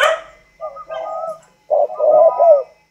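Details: A tame, kept spotted dove from northern Vietnam with a 'thunder voice' style gives short hollow coos in two bursts, low and rounded, with brief pauses.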